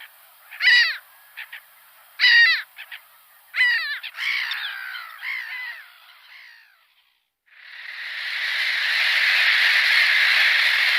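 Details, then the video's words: Gull giving loud, harsh, downslurred calls in a loose series, the later notes softer and overlapping, then a steady broad rushing noise. "GULL SOUNDS - Learn gull | Sound Effects of Gull"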